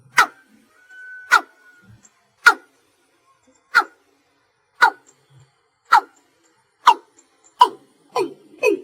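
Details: Watercock (cúm núm) calling at night, slow single-note style: around ten abrupt knocks, evenly spaced then accelerating and deepening at the end, with a short steady tone near the start.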